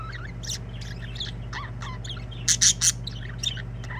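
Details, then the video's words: Budgerigars singing: soft warbling and curving chirps, then three loud harsh chirps close together midway, followed by more quiet twittering, over a low hum. "Budgies singing."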